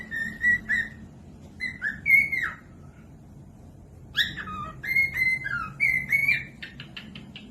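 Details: Cockatiel whistled song played to teach other birds to sing: paired level whistles and upslurs in short phrases, a pause, then a livelier stretch of repeated whistles ending in quick clicking notes.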